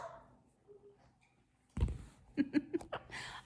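Quiet indoor sounds with soft breathy noises and a few short chuckling bursts; no clear animal call.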